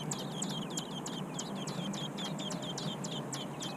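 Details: American robin; begging calls; chick begging for food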